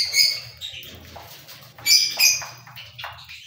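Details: Cockatiel producing a series of harsh, grating squawks at irregular intervals, with loud bursts at the start and around the middle, over a low background hum.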